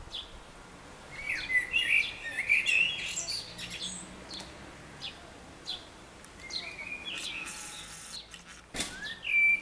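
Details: Common blackbird in Baia Mare singing short, fluty warbled phrases with twittering ends, loosely spaced, over a soft outdoor background with a sharp click near the end.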